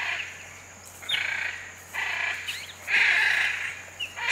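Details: Hyacinth macaws in the Pantanal: loud, harsh, raspy squawks in bursts about a second apart, over a steady low hum and soft background chirps.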